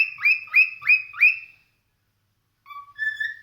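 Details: Four loud, rising whistled chirps from a cockatiel, evenly spaced about three per second, followed by a pause of silence and two softer, flatter whistled notes.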